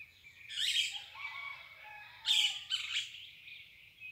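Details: Birds singing at dawn: scattered high, sweeping whistles and chirps overlapping with a lower, sustained warbling line, heard at moderate distance with faint low background rumble.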